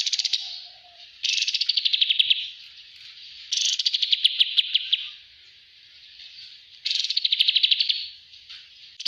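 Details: Bulbul on a training master, delivering dense rattling trills in four bursts that each fall slightly in pitch, with short quiet spaces between them.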